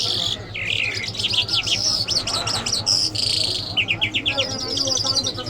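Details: Iranian jal lark, described as mashhadi mast, singing a fast varied phrase of chattering notes and high whistles, ending in a quick series of short rising chirps, over a low steady hum.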